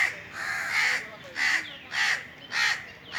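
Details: Indian crows on a treetop during a hot summer day, giving about five rough, grating caws in quick succession, some overlapping.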